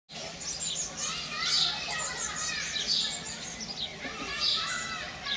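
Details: Barn swallow nestlings in late May, fed rapidly by both parents: dense, high, twittering chirps overlapping continuously, with bursts of shrill squeaks rising and falling in loudness.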